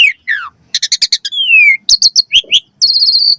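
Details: Caged-bird training song of an Asian pied starling with varied fill phrases: descending whistles, a burst of clipped chirps, a long sliding whistle, then harsh buzzy rattles and rising notes, all loud and close.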